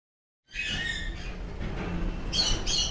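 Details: A sun conure in Ahmedabad, Gujarat, gives a harsh, raspy screech, then two shorter shrill squawks near the end, over a steady low background rumble.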